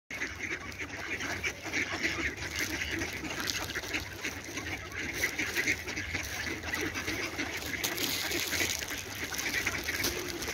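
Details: Ducks in a dense chorus of rapid, overlapping nasal quacks that run without a break, forming a steady wall of sound with no single caller standing out.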